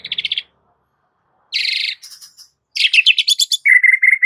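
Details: Fiercely singing white-rumped shama, a fighting master for training: short rapid trills separated by pauses, a scratchy chatter, then a fast descending rattle and a steady series of clear repeated whistles.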